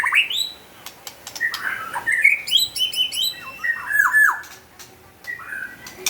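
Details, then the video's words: White-rumped shama in lively song: varied slurred whistles and sharp chirps in short bursts, some harsh notes, with clicks and a steady background hiss. "Burung murai yg gacor lear leor"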